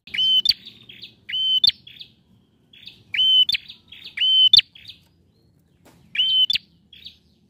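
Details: Bar-winged prinia male in full song, played to coax a quiet bird into singing: sharp, high, whistled notes with buzzy clicking ends, given in pairs and short groups separated by brief pauses, a faint low rumble behind.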